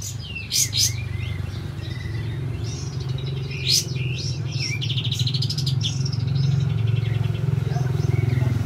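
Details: Olive-backed white-eye in full song as a lure for silent birds, delivering rolling whistled phrases: rapid high chirps and bursts of fast trills, over a steady low hum throughout.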